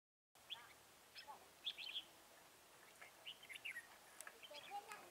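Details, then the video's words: Red-whiskered bulbul heard during trapping with a lure bird on 10 December 2017: scattered short, bright chirps and quick warbled notes at irregular intervals over a steady background hiss. "Bẫy chào mào Đinh lân gáy ngựa"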